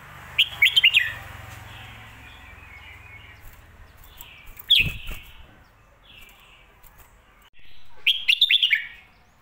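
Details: Red-whiskered bulbul in the popular phat kuay tiao or mae bot song style. A rapid phrase of whistled notes opens, a single sharp note comes midway, and a second rapid phrase closes, over faint clicks.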